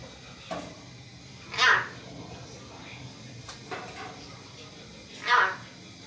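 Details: Pet Hill myna in a talking session with its owner gives two short, sharp vocal bursts several seconds apart, with faint murmurs and low indoor background noise between them.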